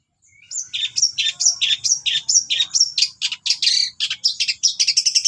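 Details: Long-tailed shrike song packed with cililin-style imitations, used for training kept shrikes: a quick series of high whistled notes, each dropping into a buzzy chirp, repeated about twice a second before speeding into tight twitters.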